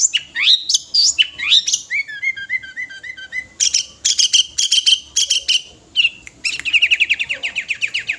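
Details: Full-material song of a five-year-old sooty-headed bulbul, for calling other birds: rising whistles, quick clipped notes in series, sharp upslurred phrases and a closing fast trill, constantly changing.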